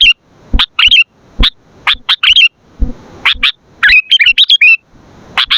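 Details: Sooty-headed bulbul song used for luring and training: crisp chip notes alternating with short, bubbling, twisting warbles, loud and close, with quiet gaps between phrases.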